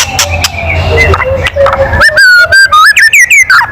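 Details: Loud kretekan of a white-rumped shama, used to rouse other birds to sing. Low background noise comes first, then a fast series of clipped, whistled notes rising and dipping, about three per second.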